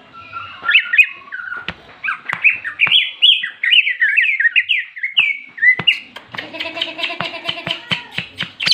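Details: Fighting song of a Greater green leafbird, ngentrok jenggrik style, used to provoke rival leafbirds: varied whistled phrases sliding up and down, broken by sharp clicks, then a harsher buzzy, harmonic squawking stretch in the final seconds.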